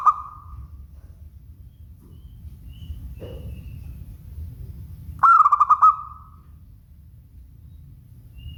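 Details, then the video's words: Local zebra dove song: a trailing coo at the start, then a full phrase of rapid pulsed cooing notes ending in a long fading tone, with a faint brief sound between and low background rumble. "Suara Bening Burung Perkutut LOKAL"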